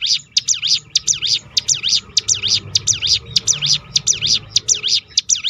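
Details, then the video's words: Rolling 'tembakan' song of the hill prinia (ciblek gunung), played to draw out other birds' song: unbroken fast sequence of piercing high notes, each swooping down and back up, evenly spaced over quiet low background noise. "roll tembakan ciblek gunung memancing bunyi burung lain"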